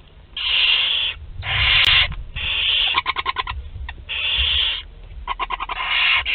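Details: Barn owl nestlings two to twelve days old feeding together in Théding, France, 29/04/2021: long hissing screeches run almost continuously, broken by rapid clicking chitter bursts, with low rumbling beneath.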